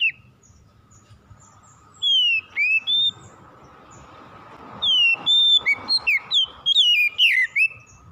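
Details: Oriental magpie-robin song used to prompt a reluctant bird to sing: clear whistled phrases, some rising and some falling, in two bursts with a silent gap, over a steady low hum.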